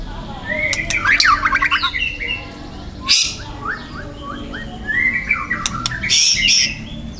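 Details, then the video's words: Young wild white-rumped shama in loud harsh song: fast stuttered trills, a sharp rasping burst, a run of short repeated upslurred notes, then buzzy rattling phrases mixed with whistles. "TEMBAKAN MURAI BATU MUDA HUTAN GACOR KERAS RAPAT MATERI KASARAN"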